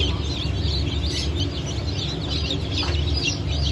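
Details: Fresh hatch of Brahma, Phoenix, Sultan and Appenzeller chicken chicks from 9 May 2024: busy overlapping high peeps, some slurred and rising, set against persistent low machine noise.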